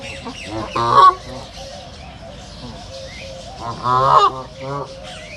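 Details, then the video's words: Two strong, harsh duck honks about three seconds apart, recorded in a nature reserve, with soft chirps from small birds in the gap. "صوت البط | دجل البط | بطبطة البط | Duck sound"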